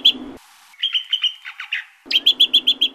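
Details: Greater green leafbird song for luring and training birds: clear ringing whistled notes in quick series, a brief noisy hiss between phrases, then a fast even run of loud bright notes over a low background hum.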